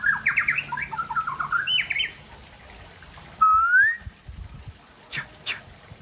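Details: Aceh white-rumped shama in the afternoon delivering a fast tumble of varied whistled notes, followed after a pause by one long, clear upslurred whistle, then two sharp clicks.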